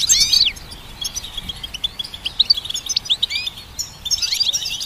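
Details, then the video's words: Goldfinch hybrid song used to train songbirds opens with a loud burst of rising sweeps, then runs into quick scattered chirps and twitters, and ends with another dense bright flurry. "Goldfinch Symphony"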